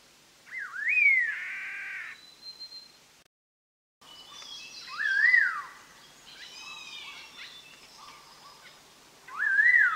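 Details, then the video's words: Black-hooded laughingthrush song used as a trapping lure, endemic to Vietnam's highland forests above 2,000 m in Dak Lak and Lam Dong: a whistled note swooping down then up to a sliding peak, a broad harsh burr, another bird's calls between. "Chim Khướu đầu đen má xám hót hay, file mp3 bẫy."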